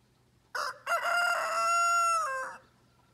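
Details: A rooster in the mountains of New Hampshire gives a single full crow of about two seconds: a short opening note, then a long held, harmonic-rich tone that drops away at the end.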